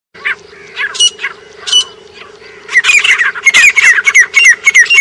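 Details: Grey francolin in Pakistan: scattered harsh notes at first, then from the third second a loud run of rapid, high, shrill squawking notes with downslurred whistled tones. A steady low hum runs underneath.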